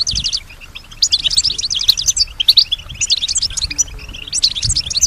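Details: Female European goldfinch singing in reply to surrounding sounds: repeated bursts of rapid high twittering and buzzy trills, each about a second long, separated by brief quieter gaps.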